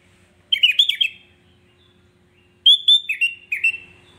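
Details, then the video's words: Two short, lively phrases from a sooty-headed bulbul, said to rile up other bulbuls within seconds. Each is a run of four or five chirpy, slurred whistles, with a pause between the phrases. "Hanya hitungan detik kutilang lain pasti ikut emosi"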